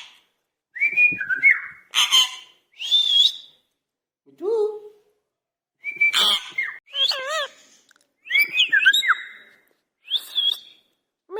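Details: Indian ringneck parakeet talking angrily, a pet bird giving short bursts of speech-like phrases mixed with shrill whistled notes and wavering harsh calls, separated by brief pauses.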